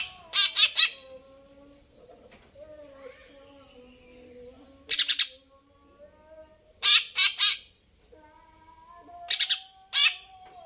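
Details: Cucak ijo (greater green leafbird) in vigorous song, giving clusters of two to three harsh, buzzy notes separated by pauses of about two seconds, with soft whistles faintly behind.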